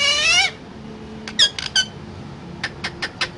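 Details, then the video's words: Talking parrot producing a nasal, harmonic, slightly wavering note, followed by a few scratchy chirps and then four sharp, evenly spaced clicks. "Parrot Talking"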